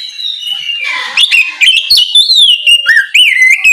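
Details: Ngeplong morning song of an oriental magpie-robin, aimed at prompting untrained magpie-robins to sing. A rough, noisy start turns into steady loud whistles, with long sliding notes and short chips repeated about twice a second.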